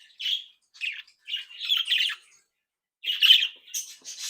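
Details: Captive budgerigars from a home breeding group, happy and active, making soft warbled chirps in short phrases with gaps, ending in a louder squawky burst.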